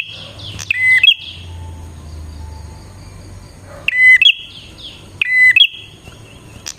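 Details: Bar-winged prinia song played to lure wild prinias: bright high chips and a drawn-out buzzy trill recur several times, with a brief lull in the middle and faint low hum underneath.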